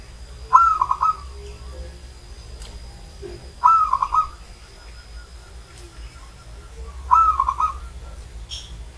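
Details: Zebra dove in old age, from Banyumas, delivering three rippling coo phrases at about three-second intervals, each a fast string of soft beaded notes, over a quiet low hum.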